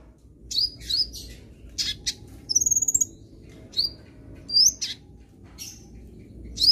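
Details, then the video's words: Sunbird song used to coax a young bird into singing: thin, very high chirps and short upslurred whistles given in scattered bursts, with one rapid stuttering buzzy series in the middle, over faint low background hum. "Sangat Ampuh Bikin Kolibri Bahan Cepat Gacor"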